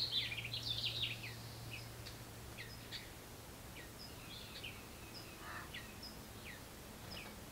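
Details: House wren nestlings in a birdbox begging as a parent brings food; a brief burst of dense, high, scratchy chirps in the first second, then scattered short high chirps over a faint steady low hum.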